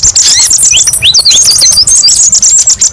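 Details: Kolibri ninja sunbird, masteran song: a quick string of sharp up-and-down whistled slurs and thin high trills, rapid and bright, in a short burst.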